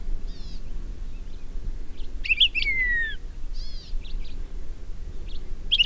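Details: Song of the endangered Palila on Hawaii's Big Island: a bright, quick, whistled phrase with a long sliding note that falls, set among short chips and trills over a steady low rumble of wind.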